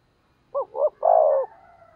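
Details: Decoy spotted dove calling to goad wild doves into answering: one low, mellow phrase of two quick hooting notes followed by a longer, slightly falling coo, in quiet surroundings.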